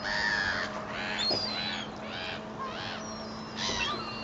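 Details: Gulls being fed bread from a boat's stern deck at Fleetwood Docks on a sunny day, a rowdy flock: harsh overlapping squealing calls in bursts, with a steady low hum beneath.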